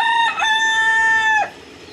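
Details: A giant rooster crows: a loud, clear, strongly harmonic call that opens with a brief broken note, then holds one long steady tone for about a second before cutting off sharply into quiet.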